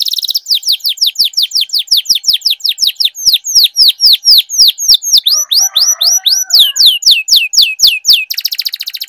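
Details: Canary in loud long-rolling song used to prompt canaries that have stopped singing: a continuous run of sharp downward-sweeping notes repeated several times a second, briefly mixed with a soft low chatter, closing in a fast buzzy trill.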